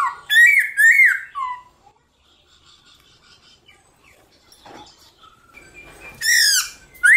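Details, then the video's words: Black-throated laughingthrush giving fighting song in the morning: loud rising and falling whistled phrases at the start, a long quiet stretch with faint rustling and clicks, then bright whistles again at the end. "Khướu bạc má hót đấu kích khướu căng lửa | khướu bạc má hót múa buổi sáng"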